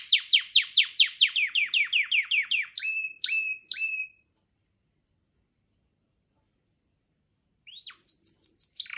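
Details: Canary singing a rapid series of about a dozen descending chirped notes, then three slurred whistled notes, a silence of several seconds, and a renewed high, rattling phrase near the end.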